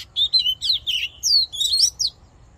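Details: Fighting song of an Oriental magpie-robin, used in voice training to excite a male: lively sequence of bright whistled and warbled notes, rising and falling, delivered in quick succession.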